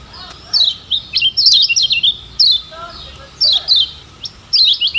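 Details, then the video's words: Kecial kuning Lombok, the lemon-bellied white-eye, in a tutor recording used to get other birds singing: bursts of quick high twittering and descending chirps, with a few fainter lower notes from another bird. "Ciak Joss Kecial Kuning Ini Ampuh Jadi Masteran Bikin Cepat GACOR‼️"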